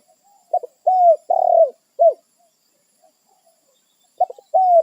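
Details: Spotted dove in the wild calling to its companions and holding its own territory: soft low hooting coos, short stuttered notes leading into drawn-out falling coos, phrases repeated quickly with a short pause between.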